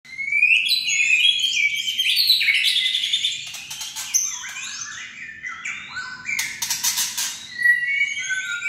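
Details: White-rumped shama kretekan, played to stir other shamas into singing: fast varied song of whistled phrases sliding between high and higher notes, mixed with sharp dry clicking rattles, loudest at the start and near the end.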